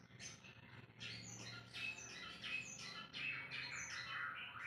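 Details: White-rumped shama giving a dense, hurried run of harsh chattering and squeaky notes with brief thin whistles, tightly packed and irregular across the whole stretch, above a low background hum, recorded without editing.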